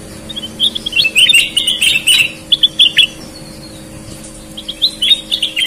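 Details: Sooty-headed bulbul singing energetically, red-eyed versus white-eyed: a run of bright whistled notes and chirps, a pause, then a shorter twittering phrase, with a soft constant hum behind.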